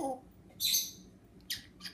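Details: African Grey parrot, kept as a pet, blowing a kiss: a low voiced murmur, then a loud airy smack followed by two shorter, sharper kissing clicks.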